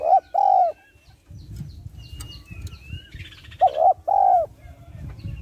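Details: Female spotted dove calling to stimulate males gives soft, low hooting coos in pairs, one short and one longer, repeated after a pause; faint rustling and a distant chirp between.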